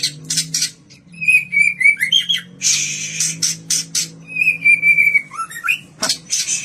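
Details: White-rumped shama, captive-bred kaur type, singing to lure other birds: harsh scratchy bursts alternating with long clear level whistles, a rising slurred note, and quick high chips, over a faint low hum.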